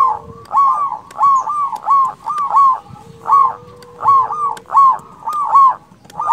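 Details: Energetic local zebra dove song meant to lure rival doves and stir them; rounded bubbling coos come in quick pairs and short runs, with a thin steady tone briefly running underneath.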